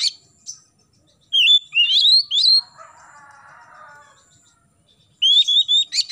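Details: Oriental magpie-robin singing in the morning, a recording played to prompt young birds to sing; loud, clear whistled phrases with rising slurred notes, a softer lower buzzy warble in the middle, then another burst of sharp whistles.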